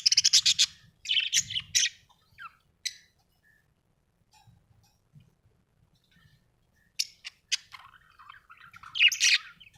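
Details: A happy budgie chirps in quick, scratchy, high-pitched bursts, first a flurry of warbling notes, then near silence with faint rustles, then another run of rapid buzzy chatter.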